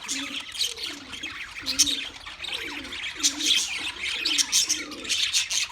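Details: Wild budgerigars chirping in a dense, continuous chatter of high, rapid twittering and warbled notes. A low, soft cooing note repeats about twice a second underneath.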